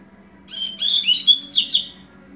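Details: Double-collared seedeater, a Brazilian coleira singing the 'tui tui zero zero' style: a short burst of high, rapid twittering notes that climb in pitch over about a second and a half, over a low steady hum.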